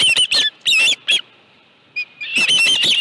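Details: Osprey at the nest with a live fish, evening of 25 July 2018: clusters of piercing whistled chirps, a brief lull, then a dense run of overlapping calls at the end.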